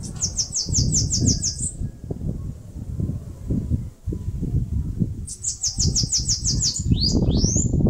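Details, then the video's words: Bananaquit (caga-sebo, sibite) singing while building a nest in a mandacaru cactus in northeastern Brazil: two bursts of rapid, thin, high buzzy notes, about eight in quick succession, separated by a pause, over steady low rumbling background noise. "CANTO do CAGA-SEBO (SIBITE, CHUPA CAJU..)"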